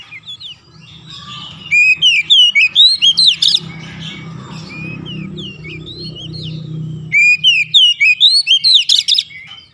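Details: White-rumped shama song used as therapy for lazy birds: two bursts of rapid, varied whistled and chirping notes, separated by a few seconds of low rumbling background noise.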